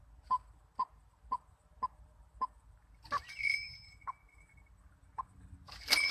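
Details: White-breasted waterhen used as a trapping decoy, calling with clipped mid-pitched notes about twice a second, then a burst of scraping noise with a thin high whistle and scattered further notes.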